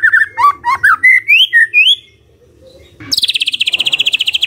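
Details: Magpie-robin morning song meant to coax a silent bird to reply: rapid whistled notes sliding up and down, a short pause, then a fast, high, buzzy trill repeated many times.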